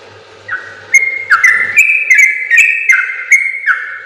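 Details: Yellow-vented bulbul launching into a rapid, long training song for other birds after a quiet start with soft ticking: steady whistled two-note phrases about three per second.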